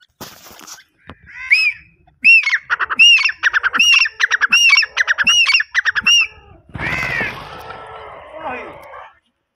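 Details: Grey francolin (teetar) calling: a loud, harsh, high-pitched series of ringing notes repeated rapidly, more than a dozen in about four seconds. A few brief notes come before it, and a rough noisy burst follows.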